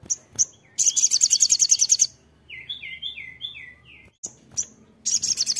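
A Crimson sunbird sings very high, thin, rapid trills in bursts of about a second, broken by a run of lower, sliding chirps.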